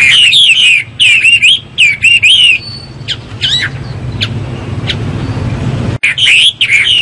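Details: Hwamei (Garrulax canorus) delivering bursts of looping, warbled whistles in short phrases, then a quieter stretch with a few thin single notes, before a final loud phrase returns; steady low hum underneath.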